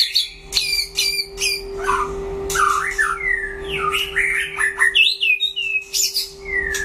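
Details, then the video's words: White-rumped shama singing in a solo duel: quick sharp chips, then a tumbling run of varied whistled phrases rising and falling, with a steady electrical tone underneath. "File Lửa đấu solo (shama bird)"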